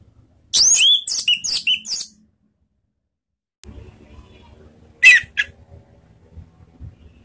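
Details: Orange-headed thrush in the ngeplong style, used as a ngeriwik lure to set other thrushes singing: four loud harsh, squawky bursts in quick succession, a pause with low rumble, then two more sharp bursts.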